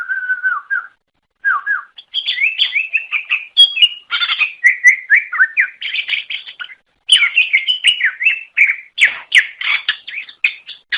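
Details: Long song of a greater green leafbird, or cucak ijo, from Java, Sumatra and Kalimantan, used to lure other cucak ijo: low whistled phrases at first, then continuous energetic warbling with sharp chirps and brief pauses.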